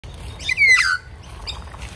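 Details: Young magpie at a morning feeding after being caught in the rain; a single loud, harsh squawk with a falling whistled tone near the middle, then faint soft calls and low background rumble.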